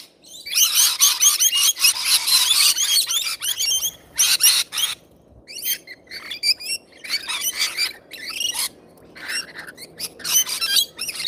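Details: Wild rainbow lorikeets feeding, a noisy flock giving dense high screeching chatter at first, then thinning into repeated sharp squeaky calls with short pauses between.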